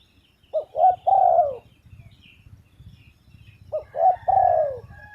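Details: Spotted dove phrase repeated twice: a short note, a slightly longer one, then a long falling coo, with about three seconds between the phrases and faint low rumble behind.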